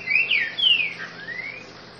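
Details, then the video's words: Green-winged saltator, grego boca mole song: quick pair of bright slurred whistles, a long falling note, then a fading upward-sliding whistle; low constant hum underneath. "TRINCA FERRO GREGO BOCA MOLE"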